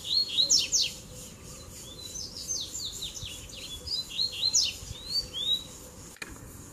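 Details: Double-collared seedeater song, played to warm up other birds, with rapid downslurred chirps and sweeping notes repeated in quick, uneven bursts throughout. A steady low hum runs underneath.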